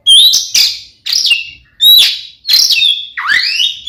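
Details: Oriental magpie-robin fighting song meant to provoke rival magpie-robins; clear whistled notes, some sliding downward, mixed with raspy bursts in phrases roughly every half second, ending with rising swept whistles.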